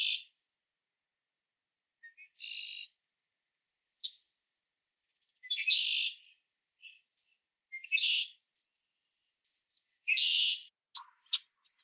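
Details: Red-winged blackbird in Ontario, Canada: harsh, broad chack-like calls and short buzzy bursts at irregular intervals, about every two seconds, with a few sharp ticks near the end.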